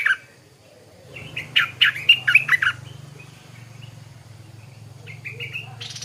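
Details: Stripe-throated bulbul heard in the morning with a rapid chattering phrase of bright warbled notes, then fainter notes, over a steady low hum.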